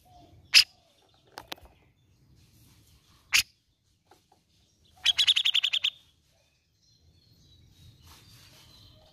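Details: Grey-cheeked bulbul lure recording, played to stimulate a reluctant bird to sing: sharp, isolated high notes spaced a second or two apart, then a quick burst of about eight clipped, repeated notes, with quiet pauses between.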